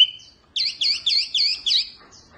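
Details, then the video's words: Mini wambi Oriental white-eye in energetic tutoring song: five loud, bright, looping chirps in quick succession after a brief whistled opening note. "Kicauan OK wambi mini GANAS bagus untuk masteran"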